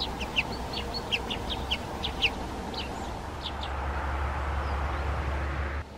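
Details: Brambling, a winter visitor arriving in flocks from the north, gives short, sharp chipping notes in quick clusters over the first three seconds, then falls quiet against a steady low rumble of wind or traffic.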